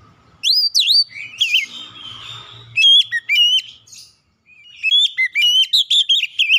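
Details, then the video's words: Oriental magpie-robin song used as a daily lure for a stressed untrained bird: rising whistles, a harsh rasping passage with a low rumble, a short silence, then a quick string of bright whistled notes. "PANCING 30 MENIT TIAP HARI PAGI | SIANG | MALAM KACER BAHAN SETRES CEPAT GACOR"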